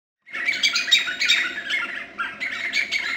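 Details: White-fronted nunbird at Boca Tapada de Arenal, Alajuela, Costa Rica, in 2013: a noisy burst of harsh, chattering notes starting abruptly, pausing briefly, then resuming.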